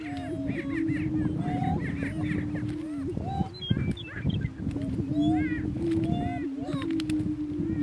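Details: At a northeast Kansas lek, two male Greater Prairie Chickens battle for dominance; a continuous low boom underlies scattered cackles, high whoops and sliding notes throughout.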